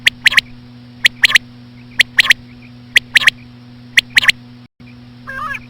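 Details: Common quail, female calls used to attract quail: sharp clicky triple-note phrases, one note then a quick pair, repeated about once a second, with soft faint pips between and a brief nasal note at the end; steady electrical hum underneath.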